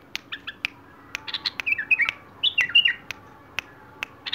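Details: Wild bulbul song: rapid chirps building into two lively clusters of warbled, slurred notes, with sharp clicks scattered across a faint humming background.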